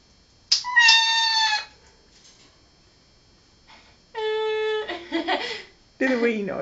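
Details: A pet red-lored amazon copies sounds a girl is making, giving short, tonal, voice-like phrases in bursts, some clear and whistled, others rough and speech-like. Grey parrots are nearby and a person talks.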